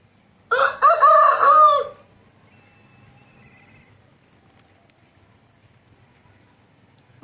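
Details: Aseel rooster crow: one loud, hoarse, harmonic-rich call lasting about one and a half seconds, rising then sagging at the end, followed by a quiet background with faint thin tones.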